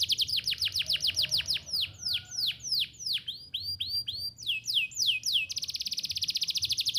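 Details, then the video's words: Domestic canary in strong, vigorous song, used to prompt young canaries to learn singing; rapid series of high, downward-sweeping whistled notes changing through several phrases, closing with a fast, even trill. "Kenari Gacor Cuit-cuit Efektif Buat Pancingan Kenari Paud Belajar Bunyi"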